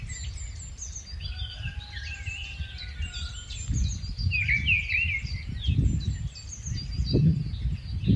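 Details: Migratory Rufous-tailed scrub robin giving a loud, tumbling warbled phrase in the middle, preceded by a drawn-out thin whistle. High chirping from other birds in the background and strong buffeting wind below.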